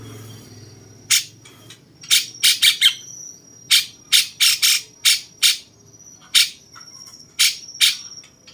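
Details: Cucak cungkok bulbul in the 'rasa jenggot' style, used as a master voice for training champion songbirds: sharp, bright chip notes, single and in quick clusters of three or four, over a faint steady high whine.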